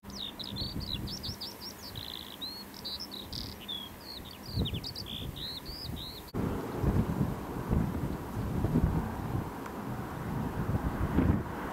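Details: Terek sandpiper, 29 July 2008, at Saltholme area pools in England, giving quick, high twittering notes, several per second, for about six seconds, then only low rumbling wind or surf.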